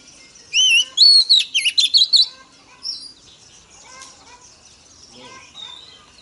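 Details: A single phrase from a female Oriental magpie-robin, sung to excite males: a quavering whistle, a high falling note, then a fast series of clear chirped notes. Softer scattered chirps follow in a quiet background.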